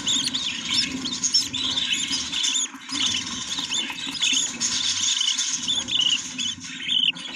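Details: Nest of budgerigars with chicks gives steady, busy chatter: wavering squeaky notes and short squeals running together without pause, some sliding up and down, with low rumbling in the background.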